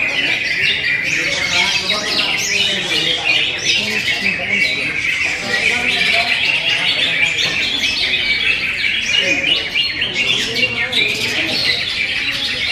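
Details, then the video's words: Greater green leafbird with classy song material: a dense, continuous stream of high chirps, trills and short whistled phrases, with human speech underneath. "Materi berkelas cucak hijau"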